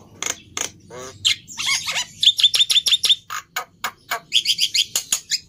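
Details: Black-winged myna giving choppy chirps and squawky notes, with a short run of thin whistled pips in the middle, over faint low background hum.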